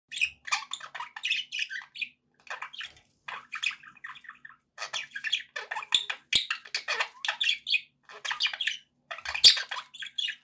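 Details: Several pet budgies chattering together, a dense run of short scratchy chirps and squawks broken by brief pauses, the bright warbling notes overlapping throughout.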